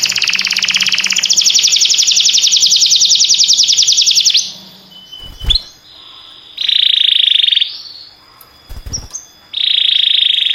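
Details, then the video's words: Canary pouring out a long, fast, shimmering trill for over four seconds, then falling quiet with a couple of clicks before two more short buzzy rolls separated by pauses. "This Sweet Melody Will Excite Your Singing Canary!"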